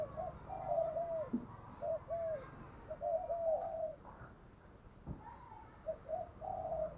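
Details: Decoy spotted dove cooing in the thúc gù style, recorded quietly against steady hiss and rumble. Soft, low, repeated coo phrases are made of paired and triple notes, with a couple of clicks or knocks in between.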